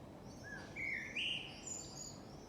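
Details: Birds singing in a yard on a summer morning or evening: a few clear, rising and falling whistled notes with thin high trills, over a soft background hiss.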